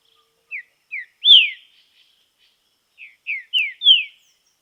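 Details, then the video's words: Green-winged saltator singing outdoors in training: short downward-slurred whistles building to a loud falling note, a pause, then a second phrase of four sweeping whistles, the last loudest. "TRINCA FERRO TREINAMENTO NA NATUREZA"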